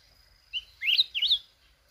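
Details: Red-whiskered bulbul (chào mào núi) from mountains of Bình Thuận, Vietnam, wild-caught and not yet in peak form, delivers a single bright phrase: a short whistle, then two quick bursts of looping slurred notes.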